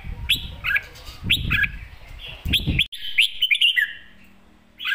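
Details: Red-whiskered bulbul giving a few spaced whistled phrases, then a slurred warbling run that fades, with dull thumps and low rumbling in the background.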